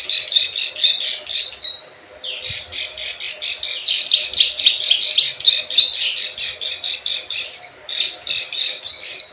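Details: Lure call of a plain prinia, 'klik klik ciwah' type, to attract wild birds: a buzzy high trill, a brief break, then fast, scratchy repeated chirps continuing steadily.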